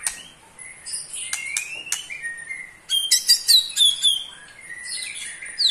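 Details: Caged white-rumped shama, a male of the pastol type aged eight months, giving rapid trilling song meant to provoke other shamas: varied high whistles and sweeping notes mixed with quick clicking bursts, some notes slurred upward.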